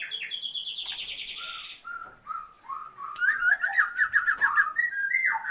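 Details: Female Oriental magpie-robin calling the male to heighten his breeding drive: a buzzy high note, then spaced mellow whistles building into a fast warbled run of slurred notes.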